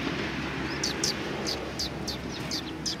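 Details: Several sparrows at a Tenmangu shrine in Japan on 1 February 2020 give short, high, downslurred chirps, about eight spaced through three seconds, over a steady low rumble of traffic.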